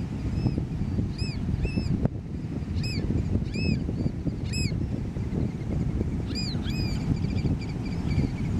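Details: American Oystercatchers at Los Pantanos de Villa near Lima, Peru, in April 2017 give loud, piercing whistled 'wheep' notes, each rising then falling, in short bursts of two or three over a steady roar of surf and wind.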